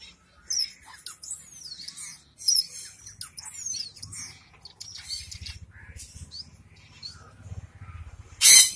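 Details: Finches kept in Kerala, among them zebra, Bengali and yellow-necked finches, with thin rising and falling whistles, quick high chirps and squeaky twitters, then a loud burst at the end.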